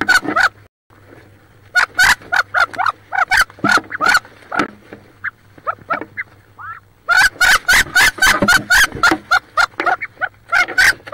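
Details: Wood duck hens squabbling inside a nest box near Richland, Washington, where one hen sits on about 18 eggs: harsh, squealing calls, several a second in quick bursts after a brief pause, over a low electrical hum.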